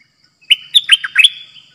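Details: Red-whiskered bulbul kept as a decoy for trapping, singing in the dok taeng song style: one quick phrase of bright, bubbling whistled notes that dip and rise, ending in a drawn-out whistle, against a quiet background.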